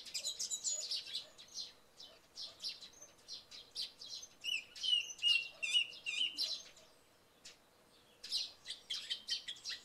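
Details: Song thrush singing in the early morning after night rain. A clear whistled note repeats several times midway, among dense, high, sharp chirping from sparrows throughout, with brief pauses between bursts.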